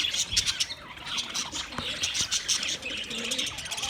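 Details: A short stretch of budgerigar chirping: dense high twittering with quick repeated squeaks and scratchy notes, fairly even in loudness throughout.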